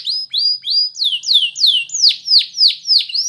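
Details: Belgian canary delivering a repeated phrase of bright whistled notes that swoop downward, about three per second, growing louder and broader through the passage.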